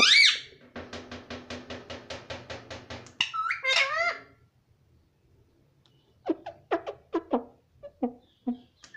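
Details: Young pet rose-ringed parakeet said to talk: a high squeak, then a buzzy rapid pulsed rattle, a loud wavering harsh screech, and finally a run of sharp clicking notes in a quiet indoor room.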